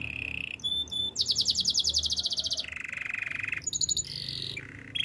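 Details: Wild canary song: a level whistled note, a very rapid, even trill of sharp notes, a lower rolled trill, then brief high whistles and a falling tone.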